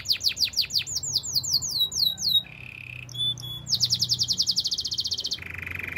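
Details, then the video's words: Canary singing for training: a string of loud falling whistled sweeps, a short lower roll, a high chattering note, then a fast bright trill and a lower buzzy roll. "Canaries song for training! The best canary singing"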